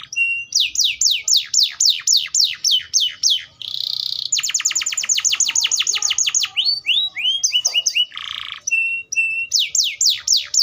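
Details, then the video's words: A canary sings a long, high song of rapid downslurred trills, buzzy rattles and rolling tours, switching phrases every second or two. "THE VOICE OF THE CANARIA SERINUS BIRD"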